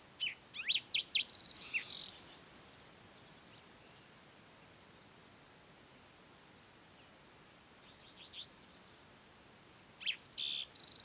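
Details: Green-tailed towhee in song on a June morning high on Colorado's Mesa Verde Plateau; a short phrase of sliding notes and a buzzy trill, long quiet pause, then another brief buzzy phrase near the end.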